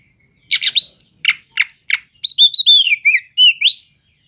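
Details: Oriental magpie-robin singing as a lure to stir up sluggish magpie-robins: fast series of bright chirps and high whistles, then a run of slurred descending whistled notes ending with an upward sweep.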